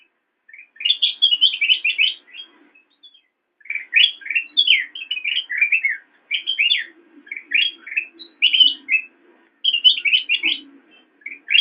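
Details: Black-crested bulbul in full song on a master recording for training cage birds: bursts of rapid, varied chirps and bright upswept notes in dense phrases separated by short pauses; faint low rumble underneath.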